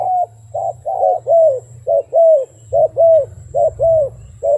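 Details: Wild dove cooing steadily, each phrase a short low hoot followed by a longer arched coo, pairs repeated about once a second, over a constant low hum and a faint high whine.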